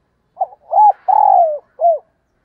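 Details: Morning calling of a decoy spotted dove: a brief low note, a rounded coo, a long falling coo and a closing arched coo. The phrase is clean, with no other sounds.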